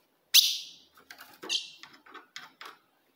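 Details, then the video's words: Ultramarine grosbeak, a female's call used to stir up a male: one loud, piercing chip with a trailing tail, followed by a scatter of softer, shorter clicks and chips. "se o seu azulão não segura fogo de fêmea Esse é o vídeo"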